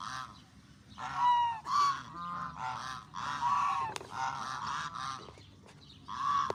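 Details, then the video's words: Hungry ducks in Canada give loud, nasal, honking calls in a series of uneven bursts about every second, over a low background rumble. "Watch what Canadian ducks do when they feel hungry. strange sounds"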